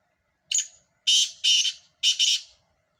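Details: Loud grating call of a black francolin: a short introductory note, then two long harsh rasps and a final doubled rasp, clean against near silence.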